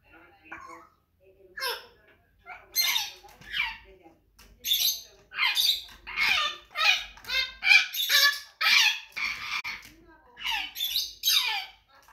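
An African grey parrot chatters in a run of short, bright squawks and speech-like calls, roughly two a second, with whistled rising notes mixed in.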